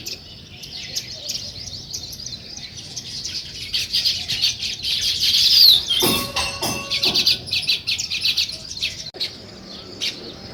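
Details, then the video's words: Sparrows chirping in the morning, with weaver birds building a nest nearby: dense, fast high chattering chirps overlapping throughout, briefly broken by a burst of sharp clicking and rattling noise around the middle. "Sparrow Morning Chirping Sounds"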